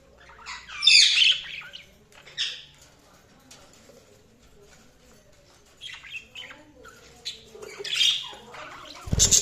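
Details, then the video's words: Budgerigars chirping: bursts of bright, scratchy, high warbling chatter come in irregular spurts, with quieter twittering and soft rustling between them and a sharp noise at the very end. "Budgies Sounds| Budgies Chirping sound"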